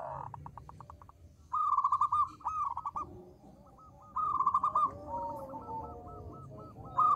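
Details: Lively local zebra dove with a small voice, played as a lure to set other doves calling: bursts of fast, clipped, ringing coo notes in short trills, with softer sliding coos from other doves between phrases.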